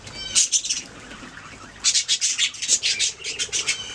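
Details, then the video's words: Budgies chirping: a quick burst of sharp, high chirps, a pause of about a second, then a longer run of rapid, bright chirps and squeaks. "Budgies singing making sounds chirping"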